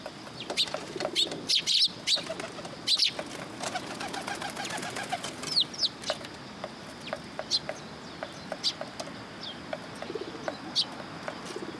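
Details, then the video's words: Sparrows arriving first thing in the morning to be fed at a Tenmangu shrine on 27 September 2022. Sharp, high chirps come in quick, uneven bursts, with a few wing flutters over a steady low background hum. "朝一番 餌を貰いに来る雀達"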